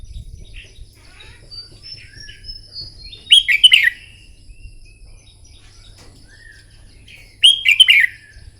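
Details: Red-whiskered bulbul in morning training for contest singing: two loud, rich warbled phrases of fast slurred whistles about four seconds apart, with quieter chirps between.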